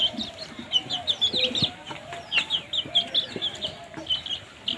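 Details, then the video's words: Baby chicks peep steadily while eating. Bright, high chirps repeat quickly in near-continuous runs from more than one chick, accompanied by faint pecking clicks and rustling. "Cute baby chicks chirping sounds"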